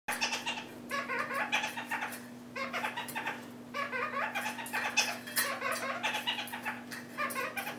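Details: Broody female red-crowned parakeet (kakariki) indoors, treating the space under her food bowl as a nest site, chatters in quick runs of nasal, harmonic notes with short breaks, over a steady low indoor hum.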